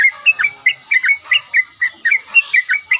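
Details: Yellow-vented bulbul singing vigorously and answering at once: short warbled, slurred phrases about every quarter second, each dipping and rising, with a steady high hiss behind.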